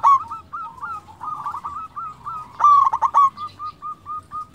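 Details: Local zebra dove singing as a decoy to provoke rivals: soft stuttering coos early, then a loud rapid rolling trill at about 2.6 seconds, followed by evenly spaced short coo notes, with other doves faintly audible.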